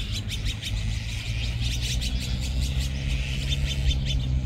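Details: Flock of Azure-winged magpies calling noisily: a rapid run of short, harsh, scratchy chirps, many overlapping, over a steady low rumble and hum.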